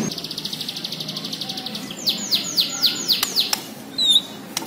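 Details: Bornean white-rumped shama in full song: a fast series of about twenty quick repeated chips, then six loud downward-swept whistled notes, followed by a sharp high note, over a faint low hum.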